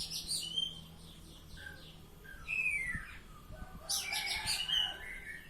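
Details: Oriental magpie-robin singing in the ngeplong style: harsh, scratchy broadband bursts mixed with short whistled notes and a clear rising-falling whistle near the middle, with a loud burst of chattering phrases toward the end.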